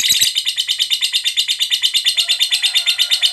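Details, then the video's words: Ngekek chatter of a fighter lovebird, sung to goad other lovebirds into singing: a steady, even rattle of shrill, buzzy notes, roughly three per second, running evenly for over three seconds. "Suara Burung Lovebird Ngekek Panjang, PANDAI Pancing EMOSI, LABET Yang Dengar TERBUKTI Cepat BUNYI"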